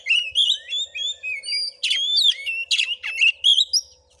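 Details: Oriental magpie-robin (kacer) in a fighting-style vocal test at a house in Padang Gading, Muko Muko, Bengkulu, Indonesia: loud varied whistled phrases, rising slurs and sharp chattering notes in quick bursts, with a faint steady low hum behind.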